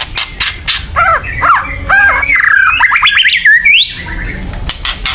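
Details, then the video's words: Agitated white-rumped shama chattering, used to provoke other birds to sing: a run of rising and falling whistled notes around the upper midrange, quick slurred phrases ending in a high upward sweep, with sharp clicks and rattling noise throughout. "kretekan keras murai / menaikan emosi agar bunyi"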